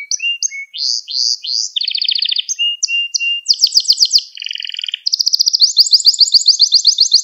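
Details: Recording of canary song made to teach young canaries: a busy medley of sweeping notes, buzzy rolls and rapid trills, phrases changing pitch every second or so, ending on a long bright high trill.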